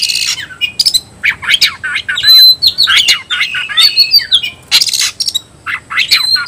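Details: Loud, varied phrases from an Oriental magpie-robin calling an opponent to battle: scratchy bursts, sweeping whistles and one pure steady whistle, delivered in quick succession.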